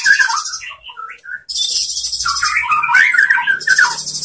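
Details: Song of a white-rumped shama, used in Indonesia as a master recording for other shamas: jumbled chirps and twittering whistles of shifting pitch, with a faint low hum and steady high hiss.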